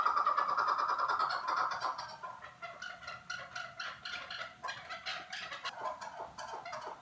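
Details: Chukar partridge from Norak, giving a rapid series of harsh, clucking chuk notes, several per second, loudest at the start and continuing in an uneven repeated chatter.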